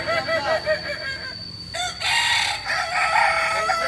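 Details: Balenggek crowing chickens training at Ampang Kualo, Solok. Short repeated rising syllables open, then after a brief pause a long, bright, multi-step crow carries to the end over other roosters.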